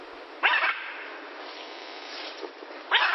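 Blue-and-yellow macaw giving two loud, harsh, raspy squawks about two and a half seconds apart, with a faint hiss between them.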